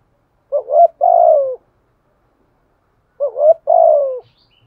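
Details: Spotted dove used as a decoy, cooing in the Đồng Son style to call other doves: two phrases, each a quick wavering double note followed by a long drawn coo that slides down at the end, with silence between.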